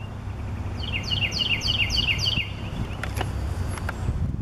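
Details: At Cypress Wetlands, a northern cardinal sings a quick series of about six clear, down-slurred whistles, roughly three per second, over a low rumble of wind or distant traffic.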